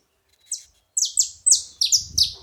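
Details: Several saffron finches together: one high, thin downslurred note, then after a pause a string of bright, sharp chips falling in pitch, grouped in twos, with a faint low background hum.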